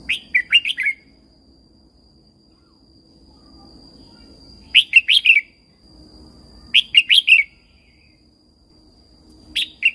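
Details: Red-whiskered bulbul from Thailand, its song used to stimulate and train caged birds: short, bright, fluty phrases of four or five quick warbled notes, repeated every two seconds or so, with a faint steady high tone throughout.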